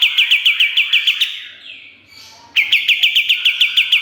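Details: Pied triller singing busily on a master recording for training songbirds: quick, evenly spaced chirps, a short softer gap, then another run of rapid ringing notes.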